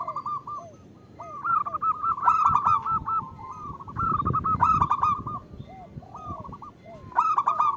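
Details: {'text': 'Calling female zebra dove, used to draw out song from local males; dense, fast sequences of short nasal coos with loud emphatic bursts recurring every couple of seconds.'}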